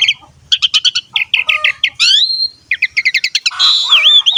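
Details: Asian pied starling in lively, varied song used to stimulate young birds: rhythmic rapid chattering notes, a rising slurred whistle, more quick chatter, then a wavering harsh phrase with a dipping whistle.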